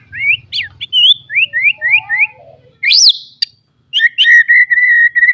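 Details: Training song of a white-rumped shama for young birds: repeated rising whistled slurs, a loud high upswept whistle, then a steady sustained buzzy note holding level to the end, with soft low hum early on.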